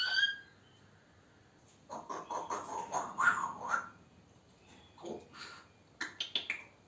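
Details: African grey parrot, male, chatting to himself indoors: a sharp high whistle at the start, then speech-like mumbled syllables in bursts, pauses, and a few quick clicky chirps near the end.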